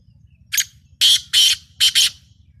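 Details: Black francolin (kala teetar) of the rare Lakka strain calling: five harsh, grating bursts in about two seconds, one note followed by two quick pairs, over a low background rumble.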